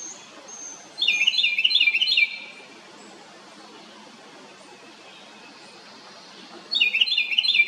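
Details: Loud little house wren giving a fast, bubbling chatter of repeated notes lasting about a second, then a pause with faint high thin notes, then the rapid series starting again.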